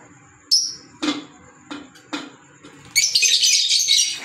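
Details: Pet green Fischer's lovebirds: a high whistled chirp and several sharp clicking ticks spaced about half a second apart, followed by a continuous harsh shrill chatter.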